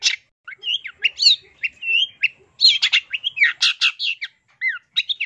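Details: Cendet, or Long-tailed shrike, singing a full-isian masteran: a fast, varied stream of whistles, slurred upward and downward notes and harsh chirps. It is almost continuous for five seconds, with a pair of clear downslurred whistles near the end.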